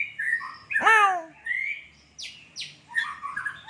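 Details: White-rumped shama, called murai hutan, singing a song stuffed with lovebird and sparrow mimicry: loud descending sweeps, a chattering phrase, then buzzy twittering notes in varied, rapid succession.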